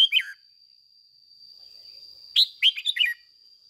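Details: A lure red-whiskered bulbul gives fired-up 'ché' song meant to stir caged and wild bulbuls: a brief falling warble, a pause, then a quick run of five chirpy whistled notes. A constant high electronic-sounding whine runs underneath.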